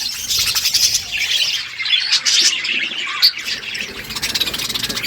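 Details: Morning chatter of budgies: an unbroken, loud high-pitched babble of squeaky chirps and scratchy warbles from several birds at once.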